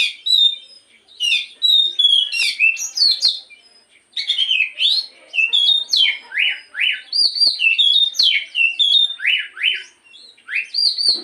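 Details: Long bout of black-throated magpie-robin morning song, used as a lure to prompt singing: continuous varied whistles, buzzy slurs and repeated rising-falling strokes, broken by a short pause near the middle.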